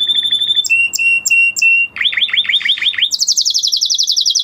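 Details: Male canary in breeding condition singing a steady whistled note, spaced whistles, a series of rapid rising slurred notes, then a high fast trill.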